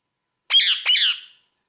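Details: Ring-necked parakeet kept as a pet, chatting while busy with a peanut, gives two loud, harsh, grating squawks in quick succession, each sliding downward and fading.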